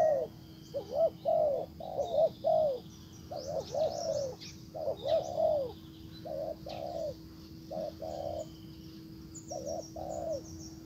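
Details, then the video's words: Spotted dove used as a decoy to call in a wild bird, cooing in loud hollow pairs that fade to softer, shorter notes later, while sharp high chirps from other birds break in. "Cuckoo Bird : Mồi rút bổi về, Bổi làm lơ đi luôn"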